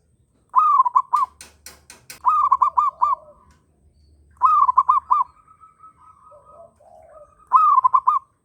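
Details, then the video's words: In breeding condition, a local zebra dove repeats its rolling coo phrase four times while other birds join in with sharp clicking chirps and a long, level whistled note. "Perkutut Lokal Birahi Kenceng ‼ Burung Lain Ikutan Bunyi"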